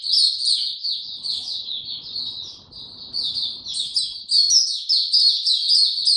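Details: Song of a white-eye kept in a cage, given no health supplements, in power down mode, dated 29 April 2022: a high, rippling chatter of tiny notes that dips slightly in volume, then surges brighter.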